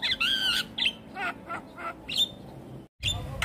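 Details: Javan myna reacting with stress to another Javan myna's call: loud nasal squawks and short chattering notes repeated irregularly, a brief silent gap, then a raspy burst at the end.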